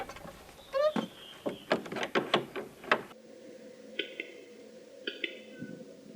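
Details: Capercaillie displaying in a bog on a frosty spring morning in the Central Forest Reserve, Tver region, Russia. Dry, knocking clicks quicken over three seconds, then thin whistled notes from small birds follow amid a faint hum.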